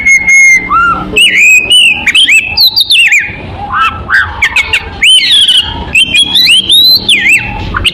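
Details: Lure song of an oriental magpie-robin, played to draw in other birds: varied whistled phrases rising and falling, interspersed with harsh squawky notes and rapid chirps, continuous and loud.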